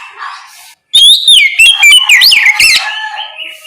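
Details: Oriental magpie-robin in the morning, loud ngeplong song used to tempt others into answering: after a soft lead-in and a short gap, a vigorous stream of sharp, swooping whistles and chirps.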